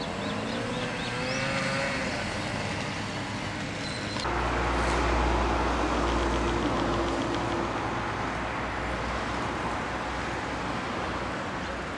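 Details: Steady road traffic noise with passing vehicles and a low engine rumble, with no clear animal sounds.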